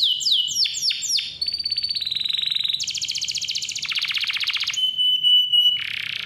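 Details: Canary singing loudly and clearly as a lure for young or quiet canaries: a run of downslurred whistles, then buzzy rattling rolls and fast trills, a level whistled note and a final harsh buzz.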